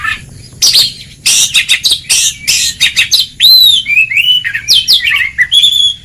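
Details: Training song of an oriental magpie-robin in ngeplong style to prompt lazy birds to sing; dense raspy chattering bursts give way to pure arching whistles and quick descending phrases.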